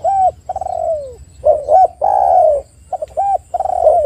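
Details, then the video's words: Spotted dove cooing, played as a lure to prompt other doves to call: soft low hollow coos, some short and clipped, others drawn out and falling, in an uneven repeated phrase. "PANCINGAN TEKUKUR AGAR BUNYI dalam 1 menit TEKUKUR BAHAN dan macet ikut gacor"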